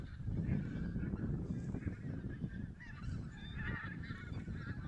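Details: Wild geese counted in Silesia in mid-November 2016, the flock perhaps mixing Barnacle, White-fronted, Greylag and Bean Geese; continuous layered honking from many birds, partly buried under strong low-pitched wind roar.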